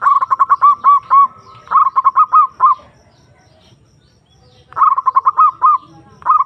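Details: Perkutut (zebra dove) calling a rival, used to raise arousal in quiet birds: two back-to-back bursts of fast, evenly pitched coo notes, nearly two seconds of silence, then further rapid bursts.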